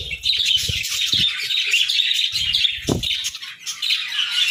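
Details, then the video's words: A group of budgerigars chirping in the morning: bright high twitters and warbled notes run continuously, with some low thumps and flapping. "Chirpy Mornings with Budgies!"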